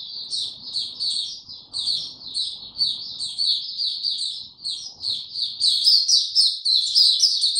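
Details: White-eye song recorded 29 April 2022, no supplements given: dense high-pitched chattering of quick chirps, building to a louder, fuller warble in the last seconds; faint low noise beneath.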